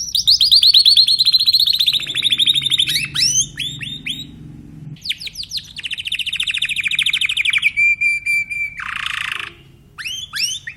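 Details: Timbrado canary in full song, loud rolling trills descending gently, sharp upswept notes, a long even trill, a pure held whistle, a buzzy burst and rising chirps.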